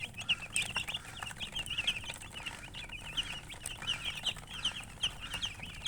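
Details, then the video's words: Baby chickens chirping together in a continuous chorus of high, thin peeps, each a short rising-and-falling note, overlapping densely with a low steady hum underneath. "MURGI Baby "Chicks Chirping" Sound"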